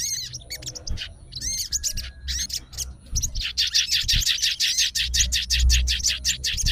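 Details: Sooty-headed bulbul of fighter type, responding straight away, starts with scattered squeaky whistles. It then breaks into a fast, dense run of high chattering notes, nearly three a second, over low rumbling.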